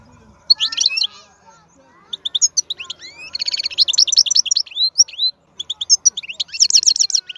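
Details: Wild European goldfinch with a reputedly very powerful voice, singing scattered high twitters that build into dense buzzy trills and tinkling phrases, with one short silence before the final burst.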